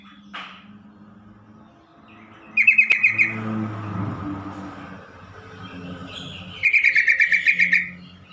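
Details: Yellow-vented bulbul call used to make other bulbuls respond quickly and stressed birds start singing: two fast rattling trains of bright pulsed notes about four seconds apart, the second longer with a dozen notes, over faint warbling and low hum.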